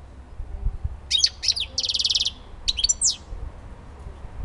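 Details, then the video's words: European goldfinch singing in the song style called civit elbasani: quick high twittering notes, then a buzzy rattling trill about half a second long, followed by more sharp chirps, over a faint low background rumble. "civit elbasani"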